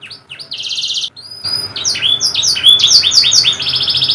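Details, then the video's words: A canary delivers a song meant to get a silent canary singing. A short buzzing roll and a thin whistle lead into a run of quick repeated descending notes, ending in a dense high trill. "KENARI MACET❓MALAS BUNYI⁉️ KASIHAN‼️Nih Kicau Paling Ampuh Dan Mewah"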